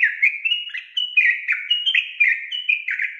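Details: Yellow-vented bulbul singing, offered as a lure to get lazy birds singing: a continuous run of quick, liquid, warbling whistles bouncing up and down at a fairly steady mid-high pitch.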